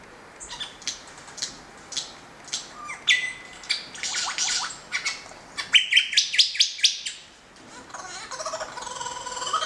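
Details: Lyrebird, a native Australian bird known for mimicking forest sounds, during the male's mating dance and courtship display: loud, varied high chirps and rapid repeated notes, a burst of ringing trills near six seconds, dense continuous song.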